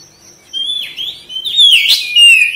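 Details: Oriental magpie-robin (kacer) in energetic song, tail opened: quiet whistles grow into a loud cluster of chirps and slurred whistles, closing on a strong clear falling note.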